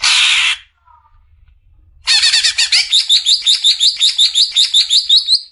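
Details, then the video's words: Greater green leafbird song used as training material for caged birds: a loud noisy burst, brief silence, then a rapid chattering run settling into clear high whistled notes repeated about three times per second. "Besetan suara burung CUCAK IJO"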